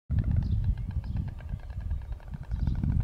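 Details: A pair of White Storks mating and clattering their bills to strengthen the pair bond, at a late-medieval castle in Extremadura where they nest: a rapid, dry wooden rattle of knocks throughout, over a strong low rumble.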